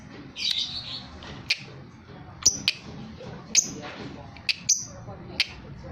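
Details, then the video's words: Young lovebird chirping steadily: sharp, high chirps and short squawks sweeping down from very high pitch, about one per second in irregular bursts, over a soft background murmur. "Love bird baby gacor"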